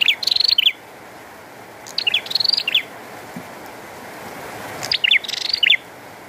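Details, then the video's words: Bar-winged prinia in full, lively song with rain falling: bright high phrases of a short level whistle ending in rapid sharp downslurred chips, repeated three times, with steady rain hiss throughout. "Burung Prenjak Gacor & Air Hujan"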